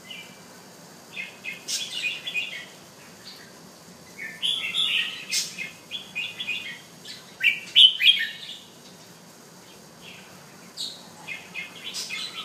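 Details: Male Penang bulbul at home, singing in scattered bursts of quick chirps and short whistled phrases separated by pauses, the loudest cluster coming near the middle.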